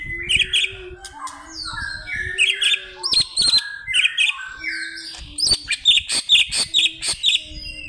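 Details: A Greater green leafbird calls to a rival with a lively, repeating pattern of bright whistles, slurred phrases and sharp chips, about two phrases a second, louder toward the end.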